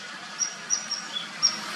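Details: Female chestnut-bellied nuthatch (Sitta cinnamoventris) gives five very high, thin, brief tsit notes at uneven intervals over a steady hiss of background noise.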